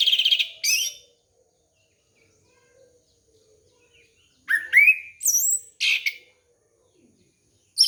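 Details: Orange-headed thrush singing, a recording meant to draw out a young bird: a fast stuttering burst, a long pause, then a tumbling series of upslurred whistles and squeaky notes in quick succession.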